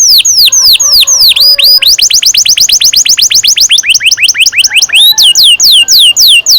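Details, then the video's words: Canary song used as a lure to get young canaries singing: a run of loud, sharply falling whistled sweeps repeated rapidly, changing pace and pitch in several sections with hardly a pause. "Kenari gacor NGEROL PANJANG"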